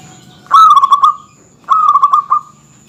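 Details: Local zebra dove (perkutut) singing to goad rival males: two rolling cooing phrases, each a rapid run of five or six pulsed notes ending in a drawn-out tail.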